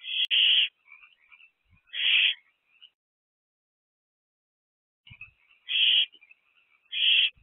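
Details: Owls at a nest box during a busy April 2024 evening: four raspy, breathy hisses come in two pairs separated by a quiet pause, with faint high twittering trailing each burst.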